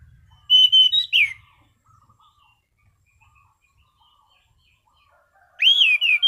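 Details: Orange-sided thrush singing in a relaxed, steady, clear style: two bursts of loud whistled, slurred phrases with sharp high notes, one at the start and one near the end, separated by near silence with faint low rumble.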